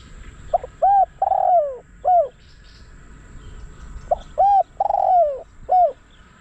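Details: Spotted dove kept to lure wild doves, calling two coo phrases: short notes, a hooted coo, a long downward-sliding coo and a final note; light high chirps of other birds in the background.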